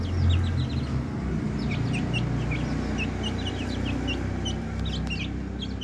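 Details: Several young chicks, twenty days after hatching, give a busy stream of brief high-pitched cheeps, often downslurred, scattered irregularly throughout, with a loud steady low-frequency drone underneath.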